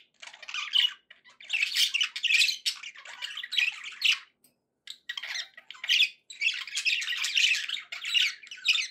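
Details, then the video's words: Budgerigars warbling indoors in long bursts of scratchy chirps and squawks, a clear pause of about a second midway, then renewed busy chatter. "budgie sounds to encourage your parrot to eat and sing"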